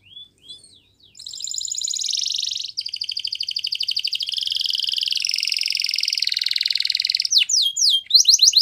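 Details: Yellow canary singing in the morning: long fast trills of rapid high notes, some rolling, others buzzy, shifting pitch between phrases and ending in quick rising chirps.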